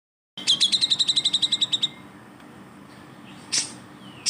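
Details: Grey-cheeked bulbul (cucak jenggot) recorded as training material for white-rumped shamas, magpie-robins and green leafbirds: a quick run of about fifteen sharp, evenly spaced chip notes, then a short hiss-like burst and quiet.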